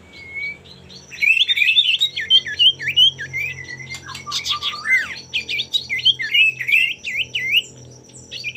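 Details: Male common iora, used as a lure to make rivals sing, pouring out a long continuous run of rapid twisting whistles and buzzy chatter lasting several seconds, with a constant thin high-pitched tone behind.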